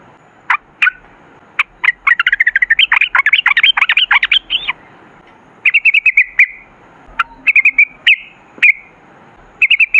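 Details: Yellow-vented bulbul in lively 'ropel' song: scattered single notes, then a long tumbling flurry of quick chattered notes, followed by short buzzy trilled bursts.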